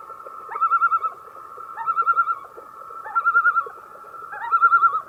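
Common loon giving quavering, laughing phrases in a mid pitch, each about half a second long and repeated roughly every 1.3 seconds over a steady hum.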